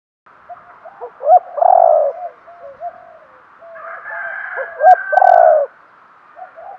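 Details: Spotted dove kept as a decoy and cooing to lure wild birds: soft stuttered coos build to a strong drawn-out coo, a quieter middle stretch, then another loud coo with brief clicks before it.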